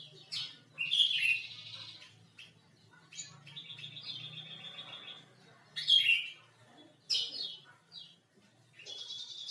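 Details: Male sooty-headed bulbul's basic song: sharp high chirps alternating with longer buzzy, trilled notes, with loud bursts spaced a few seconds apart and a faint low hum beneath.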